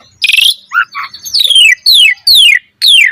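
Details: Asian pied starling in active tutor song: a harsh buzzy burst, two short low notes, then three or four loud high whistles each slurring steeply downward.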